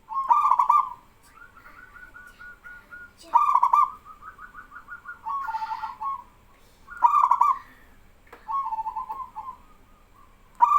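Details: Singing male zebra dove, a local bird, with other doves calling back; loud rippling coo bursts recur every few seconds, alternating with softer, bubbling trilled coos.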